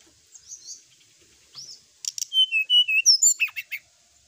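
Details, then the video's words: Brown-chested jungle flycatcher singing to provoke rivals: faint high notes first, then a loud run of clear whistles descending in pitch, ending with short, rougher chirps. "suara pancingan srdc agar lawan cepat emosi gacor"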